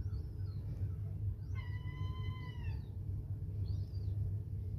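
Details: Gulls at Whitby, where new chicks born on the rooftops run about: one drawn-out, rich, slightly falling wailing call lasting over a second, with faint thin high calls before and after, over a constant low rumble.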